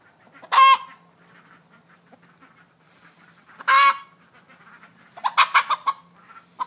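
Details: Broody Buff Orpington hen, a domestic chicken others keep clear of, giving two loud, harsh, harmonic squawks about three seconds apart, then a quick burst of clipped clucks near the end, over a faint low hum.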